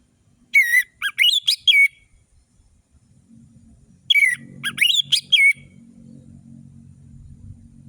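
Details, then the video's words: Orange-headed thrush singing energetically, a recording used as a lure to make lazy birds sing: two bursts of quick, sharp, high whistled notes with rising and falling slurs, separated by about three seconds of quiet with a faint low hum. "Anis merah gacor‼️ Pancingan anis merah malas bunyi"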